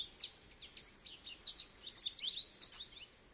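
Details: Goldfinch song: a fast, liquid twittering of high chirps and short trills running almost without a break.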